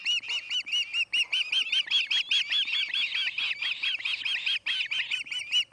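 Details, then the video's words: Osprey screaming at the Charlo nest on August 8, 2018, 5:30pm MDT: a rapid run of loud, harsh, arched whistled notes with rich overtones, about two or three per second, steady and insistent throughout. "Screaming and sneezing - Charlo osprey nest"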